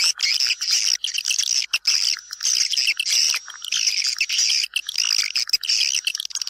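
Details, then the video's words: Recording for attracting swiftlets into a house: a constant high, buzzy chorus of swiftlet chirps with short repeated bursts and a few brief pauses between them. "Âm thanh dụ Yến vào nhà"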